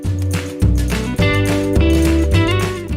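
Only music plays: steady bass notes and sustained harmonic chords, with no animal call.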